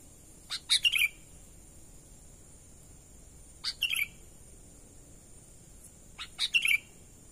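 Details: Sooty-headed bulbul giving its natural call, used to lure wild birds: three short phrases at roughly three-second intervals, each clicking chips followed by liquid, slightly falling whistled notes, over steady high hiss.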